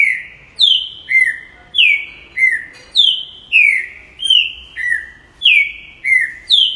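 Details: Song of a green-winged saltator: strong, pure whistles that fall in pitch, paired in high and low notes and repeated steadily for several seconds.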